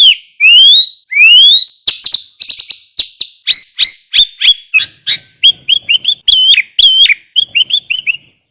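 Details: Sooty-headed bulbul master recording with rich fills, played as a lure. Two long rising whistles open a lively, varied sequence of rapid chirps and slurred notes lasting about eight seconds.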